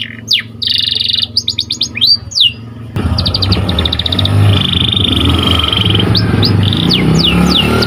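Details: Training recording of white canary singing: quick chirped trills and downward-sweeping whistles open, followed by buzzy rapid trills and sharp descending notes over a strong, steady low-pitched rumble.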